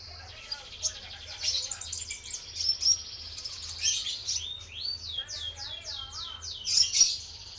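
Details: Lure song of a male Konin Trotol sunbird: high rapid twittering with a run of descending sweeping notes repeated quickly near the end, steady low hum in the background.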